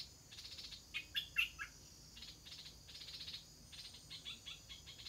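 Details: Stripe-throated bulbul chicks just before fledging give rapid, scratchy chirps, some in quick stutters, with a couple of sharper higher notes near the start, over a constant high background whine.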